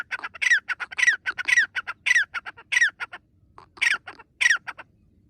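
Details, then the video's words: Francolin jumping about actively in a forest, giving loud, harsh, grating squawks in quick bursts, each strong note followed by rapid chattering clicks, about seven main squawks with a short pause midway, against a quiet background. "The partridge happily jumps and makes noise in the forest"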